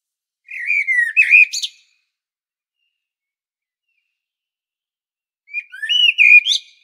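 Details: Blackbird singing in the Medvednica mountain woods of Zagreb, Croatia: a low, liquid whistled phrase with a squeaky ending, a silence of nearly four seconds, then a second similar phrase. Captured on a Panasonic Lumix camera.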